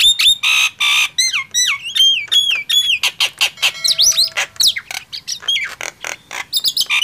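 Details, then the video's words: Nias hill myna versus javan myna loud song contest: repeated downward-sliding whistles at the start, then rapid harsh clicks and squawks in dense bursts. "Adu keras gemboran jalak nias vs jalak kebo"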